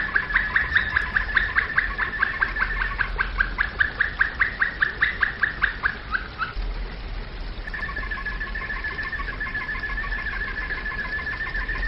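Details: Domestic canary flute song: a fast run of clipped repeated notes for about six seconds, followed by a sustained steady whistle with a lower harmonic, over constant background hiss.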